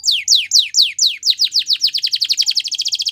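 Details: Belgian canary, a female, singing in the morning: loud downward-swept whistles at a steady beat, accelerating into a fast, bright trill of short repeated notes.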